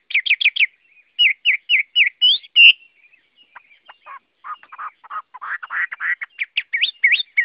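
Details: Chinese hwamei (Garrulax canorus) singing a varied run of loud whistled phrases: quick repeated upslurred notes, then lower chattering and buzzy notes, ending in rising whistles.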